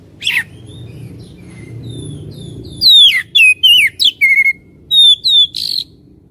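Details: Oriental magpie-robin lure song for provoking fighting spirit: one harsh note, soft background hum, then a lively string of piercing, sliding whistles and a closing rasp.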